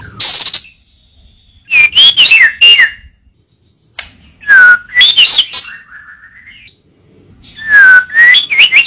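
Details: Murai batu, the white-rumped shama, singing a training recording in short bursts: clear ringing whistles and quick warbled flourishes separated by silences of one to two seconds, including a faint level whistle between phrases.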